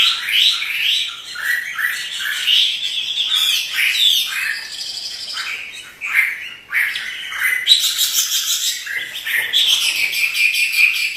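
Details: Dancing pet Chinese hwamei singing hard ("gacor"), a long sequence of loud whistled notes and sweeping slurs mixed with harsher, buzzy high phrases, with a short break before the song resumes.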